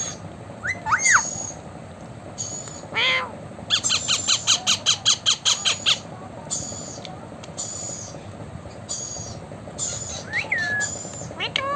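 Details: Talking blue Indian ringneck parakeet mixing gliding whistles, a dense volley of rapid clipped squawks, and scattered high chirps, following spoken words "me too" and "thank you".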